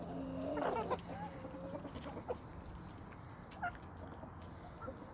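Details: Chickens and roosters from a homestead flock on a small suburban homestead with sandy soils in Toxandria. A burst of low, harmonic clucks comes in the first second, then softer scattered clucks over steady background hiss.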